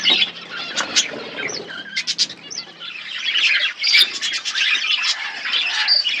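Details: Budgie colony setup with birds chirping: scattered sharp chirps and short squawks at first, then a thicker run of overlapping warbled chatter, and some faint wing flutter.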